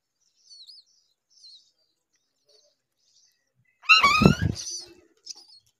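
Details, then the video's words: Hungry baby myna begging: a few faint high squeaks, then one loud, harsh, rising squawk rich in overtones lasting about half a second, followed by a short softer chirp. "A baby Myna bird was hungry"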